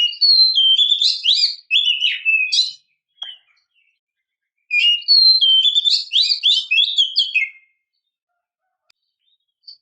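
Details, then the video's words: Female Oriental magpie-robin calling to provoke males into singing: two rich bursts of varied whistled and scratchy phrases, each about three seconds long, separated by a short silence. "kicau burung kacer memanggil - pancingan kacer agar bunyi"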